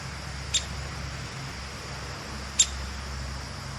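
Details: A female Downy Woodpecker, talkative and fearless, gives two sharp, high 'pik' notes about two seconds apart over a low steady hum.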